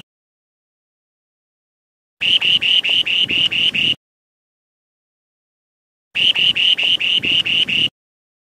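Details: Spoon-billed sandpiper in song, two identical phrases about four seconds apart, each roughly eight fast, buzzy high-pitched notes at an even pitch, with quiet between.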